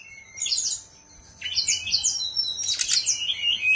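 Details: Caged bird from Bali, Indonesia, giving three bursts of bright, scratchy high warbling separated by short pauses, with rising and falling slurs, over a faint low hum.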